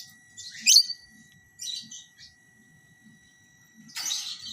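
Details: Lovebirds during pairing by the side-by-side cage method: scattered high, scratchy chirps and a sharp squeaky note, ending in a harsh, broad screech, with a steady high tone and low soft rustling throughout.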